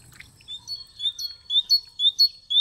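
Great tit song: high, clear two-note phrases, a brief upslurred note then a lower one, repeated about every half second in a steady see-saw rhythm.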